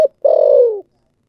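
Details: Spotted dove cooing in the thổ sấm voice style: a brief clipped note, then one loud, burry, low coo that slides gently downward and ends abruptly. No other sounds.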